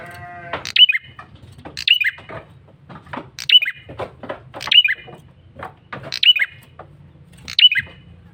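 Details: Male bar-winged prinia keeps up a loud lure call: six sharp, high bursts falling in pitch, about every 1.4 seconds, with softer scratchy notes between them and a low hum.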